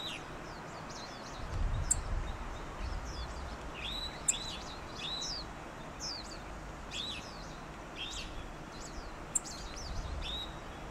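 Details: Yellow bunting in Pingtung County, Taiwan, on 16 November 2019: a loose series of short, thin, high chirps and slurred tsip notes at irregular intervals, with a few sharp clicks over a steady low rumble of background noise.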